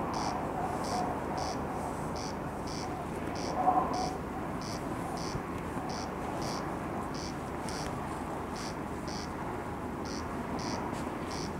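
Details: Night recording of a corn crake at Lake Powsinkowskie, 20 June 2021: dry rasping notes in a regular train, about two to three per second, over a low steady hum, with a brief faint sound near the fourth second.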